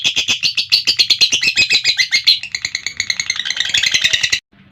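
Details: A lovebird's extended ngekek trill, rapid shrill chattering pulses running continuously before cutting off abruptly near the end, followed by a brief quiet gap and a final note.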